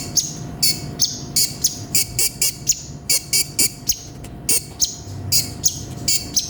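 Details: Olive-backed sunbird (konin) singing in gacor full isian style: a fast series of short, buzzy, high-pitched bursts, about two or three per second, with a faint steady low hum underneath.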